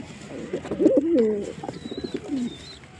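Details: Pigeon giving a burst of deep, wavering coos that swell in the middle, then fade into softer rolling notes, with a faint high whistle near the end.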